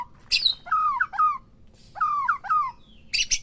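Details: Captive white-rumped shama, recording used to provoke singing: paired slurred whistles dropping then rising, repeated twice, separated by short harsh high bursts and brief pauses.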